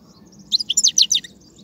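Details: Wild European goldfinch twittering song recorded in 2019, known as batbata: a quick burst of about seven bright, chirpy high notes in just over half a second, over faint low background hum.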